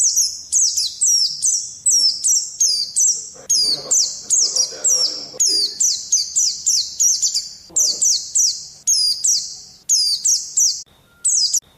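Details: Pet Oriental white-eye singing as therapy audio meant to turn a lazy bird into a ngalas singer: rapid high-pitched chirps, each sliding sharply downward, strung into a dense stream of repeated notes with faint background murmuring.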